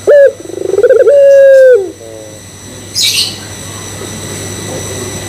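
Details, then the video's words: Barbary dove (puter pelung) coo used to stir other doves into cooing: one full coo with a short opening note, a quick pulsed trill and a long level tone falling at its end, followed by a harsh rasp. "Pancingan Puter Pelung Bikin Puter Pelung Yang Lain ikutan Gacor"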